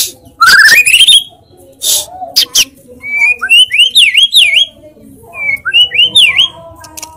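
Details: White-rumped shama giving a rising whistled run, a few loud clicks and buzzes, then sweet looping whistled phrases repeated twice with quiet gaps.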